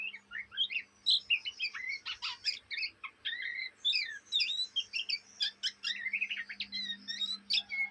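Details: Young Oriental magpie-robin, Indonesia, doing ngriwik chatter: nonstop, busy, jumbled notes of harsh chips, squeaks and whistled slurs packed closely together over a low steady hum.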